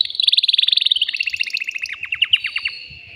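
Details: Excited caged male canary courting a female for mating, song also used to teach chicks. A fast, even rolling trill slows into spaced, downward-slurred chirps over about three seconds.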